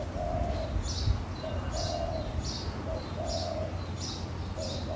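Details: On a hotel balcony in Hawaii in the morning, a dove gives soft, low, short coos every half second to second, among two doves suspected to be a pair, over thin high chirps from another bird and a steady low rumble.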